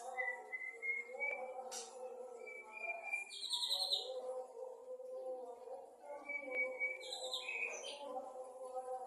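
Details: Male white-rumped shama singing vigorously in the afternoon: clear whistled notes held steady, mixed with buzzy higher bursts and quick sliding phrases, over a constant low hum of background sound.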